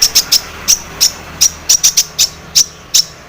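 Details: Long-tailed shrike, lure recording to make birds sing: a steady series of sharp high clicked notes, irregularly spaced, roughly three or four per second, clean and loud.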